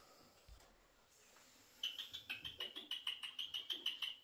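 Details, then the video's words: Eurasian jay living inside a house, said to talk: after a quiet start, a fast run of short, clear, piping notes, about four per second and fairly even in pitch, continues for over two seconds. "Când gaiță se comporta ca un om în casă- vorbește și merge pe jos"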